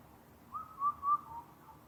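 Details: At Karuizawa in Japan, where the species is a rare visitor, an Indian cuckoo gives a single phrase of four clear whistled notes in quick succession, slightly falling in pitch, the last note softest.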